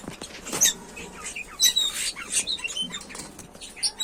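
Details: Budgerigars kept at home, giving dense, scratchy high chirps and short warbling notes, several each second, mixed with soft clicks and rustling.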